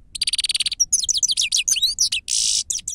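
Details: Grey-headed goldfinch song for luring: a quick buzzing rattle, a pure whistled note, a tumbling series of bright twittered slurs, then a long harsh wheeze and final chirps.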